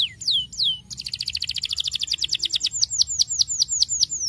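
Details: Canary singing to stimulate young canaries to sing, a rapid rattling series of high, downward-sweeping notes that turns into slower, evenly repeated whistled swoops, over a faint low hum.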